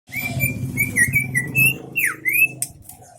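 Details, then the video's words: Greater green leafbird from Aceh Tengah singing its 'isian MB' style: clear whistled notes near one pitch, some sliding up or down, then quick rising and falling slurs, over a steady low hum. "cucak ijo isian MB"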